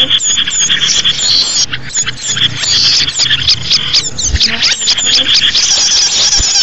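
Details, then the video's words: Many small birds twittering, a sound for luring small birds: dense high chirps with repeated short downslurred squeaks, occasional bright trills, and a faint low hum underneath. "SUARA BURUNG UNTUK PIKAT BURUNG KECIL"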